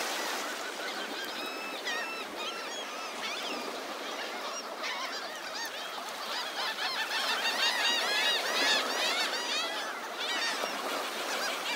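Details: A large gathering of gulls on a morning beach at Delnor-Wiggins Pass State Park, Naples, Florida, calling together in a dense overlapping chorus of arched, yelping cries that grows busier and louder toward the end, over steady surf hiss.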